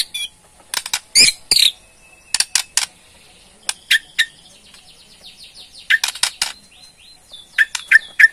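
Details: Rattling ketrekan of a white-rumped shama (Murai Borneo) used to provoke a response: loud dry clicks and rasps interspersed with faint, thin whistled notes and short chirps.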